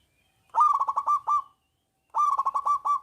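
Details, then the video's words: Local zebra dove's loud lure song for reluctant doves: two staccato, bubbling coo phrases separated by a second of silence, each with six or seven quick pulsed notes. "perkutut lokal gacor Suara Besar"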